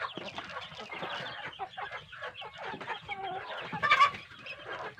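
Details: Large kampung chicken chicks fed a good diet give continuous overlapping clucks and chirps, with one sharper, louder squawk standing out near the end.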